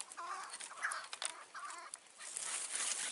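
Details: Chukar partridge calling in the mountains at dusk in June 2018, during a trapping hunt with a decoy partridge. Two short, throaty, clucking phrases with stacked harmonics are separated by a pause, over hiss and rustling.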